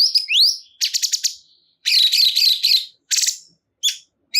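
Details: Cungkok (sooty-headed bulbul) with a swooping upward whistle, then stuttering buzzy notes, a warbled looping phrase and a few clipped chirps.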